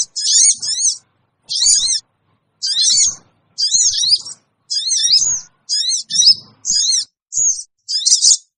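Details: Sooty-headed bulbul call used as a lure for wild birds: about ten separate bursts of shrill, rapidly wavering chirps, each under a second long, spaced irregularly with brief pauses.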